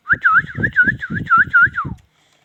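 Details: Indian ringneck parakeet giving a rapid series of about eight looping whistled notes over two seconds, ending in a falling slide, with low rustling or tapping beneath.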